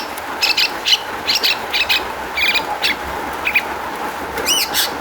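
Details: Long-tailed shrike song used as a lure to make shrikes respond: short buzzy, harsh notes repeated at uneven intervals of about half a second, ending in a quick rising-falling trill, over a steady hum.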